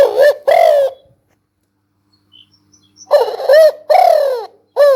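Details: Spotted dove calling in quick phrases of short throaty coos and a longer, falling coo, with a silent gap of about two seconds in the middle.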